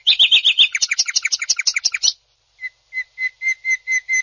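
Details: Greater green leafbird, a national-championship bird, in rough 'tembakan kasar' style: two seconds of rapid chattering paired notes, a short pause, then clear whistled notes evenly repeated about four times a second.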